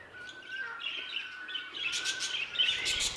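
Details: In an aviary, budgerigar chatter starts softly and builds into quick, bright chirps and warbles, over a faint steady whistled note.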